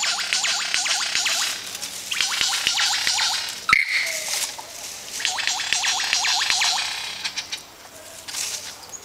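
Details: Wild lyrebird singing while dancing on a Katoomba forest walk in January 2013: quick series of ringing, downward-sweeping notes, about four a second, in two long bursts, with one sharp click midway and faint forest hiss.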